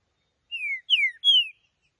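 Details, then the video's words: A green-winged saltator (trinca-ferro) sings a short phrase of three clear, whistled notes, each sliding downward, delivered in about one second with no other sounds. "trinca-ferro cantando"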